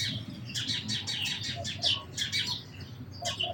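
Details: Sparrows chirping in a rapid, overlapping series of short, high chirps, several per half second, then a brief pause and a few more near the end, over a steady low hum.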